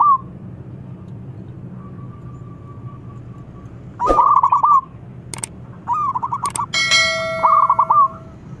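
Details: Local zebra dove (perkutut) singing, used as a lure to stimulate silent doves to sing: short rapid trilled cooing phrases at one steady pitch, a long level tone, then sharp metallic clangs and a ringing bell-like tone near the end.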